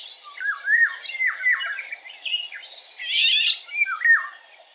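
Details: Eurasian golden oriole (Oriolus oriolus) voice: a series of liquid, falling whistled notes, then a short burst of higher, rougher chatter, and a final pair of swooping fluted notes.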